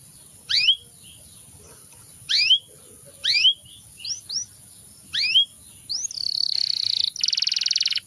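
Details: Canary singing: sharp upward-sweeping whistled notes in short bursts at roughly one-second intervals, then a fast buzzy rolling trill and a rapid pulsed rattle to finish, over a faint steady high-pitched whine.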